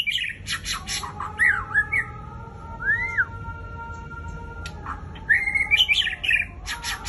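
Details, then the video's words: White-rumped shama, called Murai Raja Rimba, singing fiercely: clicking bursts, twisting whistled notes, a clean arched whistle, then a dense chattering warble with high ticks, over a constant humming tone. "Ganasnya Murai Raja Rimba SMBF"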